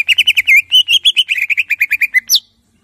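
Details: Greater green leafbird in clear, loud gacor song from tutoring material: a quick run of about twenty crisp, evenly spaced chirps at one pitch, ending in a sharp rising whistled note, followed by silence.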